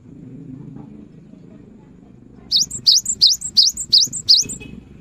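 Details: Gelatik batu, the cinereous tit, in full persistent song used to prompt quiet birds: after about two seconds of low rumble, seven rapid ringing two-part phrases follow, a rising whistle and a higher tail note, steady and evenly spaced.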